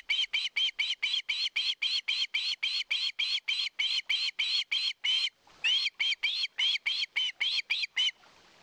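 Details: Wild osprey at a nest on a live nest camera in Satakunta, Finland, 2022, begging for fish: a rapid, even series of short, shrill, piercing calls, roughly thirty in eight seconds, with one brief gap before the calling resumes.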